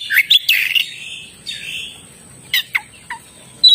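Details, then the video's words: Oriental magpie-robin (kacer) singing in short bursts: a few sharp chirps and a drawn-out buzzy rasp, then scattered downward-sweeping whistled notes separated by quiet gaps, over a faint constant high hiss. "suara burung kacer gacor"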